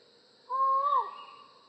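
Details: Collared forest falcon giving a single hollow, drawn-out note lasting about half a second, steady in pitch and then sliding downward as it ends, over a quiet background.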